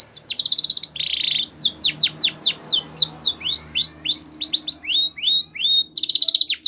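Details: A white Spanish Timbrado canary delivers its training song for young canaries: a rattling trill, a buzzy burst, many quick sweeping chips and upslurred whistles, then another rattle, with soft background hum.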